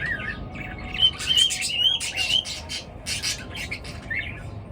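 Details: Birds calling in the morning: clear thin whistled upsweeps and short bright chirps repeat quickly amid softer chatter, over a quiet low background.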